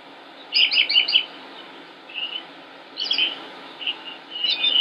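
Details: Northern mockingbird singing in Concord, North Carolina, on 25 May 2016: a rapid cluster of buzzy notes, then quieter, scattered chirping phrases in separate groups, with a faint steady hum in the background.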